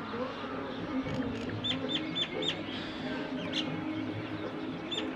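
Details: Wild birds calling at sunrise in the early morning, heard from a terrace: short, sharp, high chirps repeated in quick bursts of three to four, over a steady low background hum.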